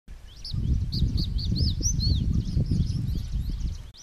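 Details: Male crested bunting (Emberiza lethami) at Shakambhari Conservation Reserve, Rajasthan. It gives a brief run of high, arched 'chik' chipping notes, then a fainter trailing phrase, over a steady low rumble of wind.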